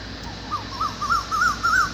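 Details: Evening cuckoo in darkness giving a run of about six quick whistled notes, each a rising-and-falling wave, growing louder toward the end over steady low hum.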